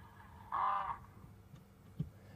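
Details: African Spoonbill, seen flying over a waterhole in South Africa, gives its distinctive single harsh, nasal croak lasting about half a second, followed by near quiet with a faint click or two.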